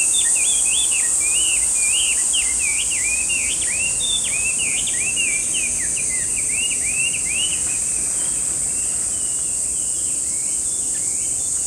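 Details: Chinese hwamei, a loud bird often heard in parks, singing a fast run of varied rising and falling whistled phrases for about eight seconds. The song then fades and thins out over a steady high insect drone.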